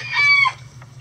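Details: A single loud, clear call from chickens in a coop on a sunny day, rich in harmonics, level then slightly falling and fading out, with a faint short note at the end over a low hum.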